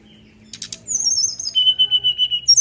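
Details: Brown-chested jungle flycatcher's flute-like 'nyuling' singing, beak open to stir other birds to sing: clicks, a long high wavering whistle sliding down, a steady lower whistle, then a rising bright note.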